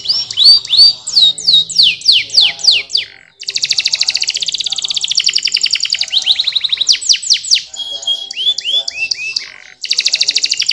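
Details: Canary song made of quick downward-sweeping notes, a long rapid rattling trill, further slurred sweeps and short whistled phrases, with a brief break before a final high trill.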